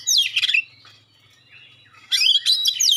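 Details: Magpie-robin giving piercing 'tembakan' shots and clear notes to provoke other magpie-robins: a short, loud burst of rapid high whistles, a quiet pause with soft notes, then another bright, fast whistled burst.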